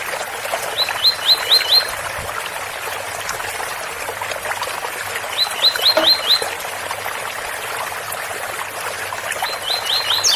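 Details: Double-collared seedeater, special Ouro Fino tui-tui song with water-spout sound: three short bursts of four or five sharp rising whistled 'tui' notes, spaced several seconds apart over a steady trickling water background.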